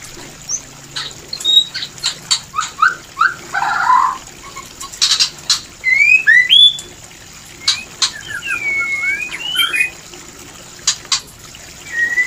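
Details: White-rumped shama mating call intended to bring shamas into breeding condition: sparse clear whistled slurs and upturned notes separated by sharp clicks and short gaps.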